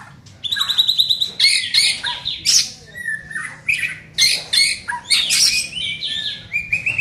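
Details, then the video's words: Young white-rumped shama during training, producing loud, harsh, chattering bursts mixed with high whistles in short phrases spaced roughly every half second. "Melatih Mental Murai muda"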